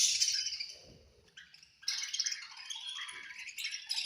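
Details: High rasping chirps from budgies at feeding time fade out, then return as an energetic run of fast, buzzy warbling and squeaks.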